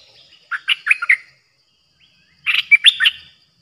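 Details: Streak-eared bulbul used as a decoy bird, recorded 06/05/2022: two short phrases of four or five quick, warbled chirps each, about two seconds apart.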